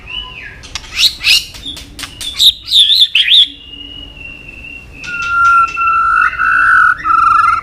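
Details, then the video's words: Murai batu, white-rumped shama, in lively isian-filled song: rapid high chips and twisting notes, then a long steady whistle and lower fluting whistled phrases. "Murai batu gacor isian super lengkap"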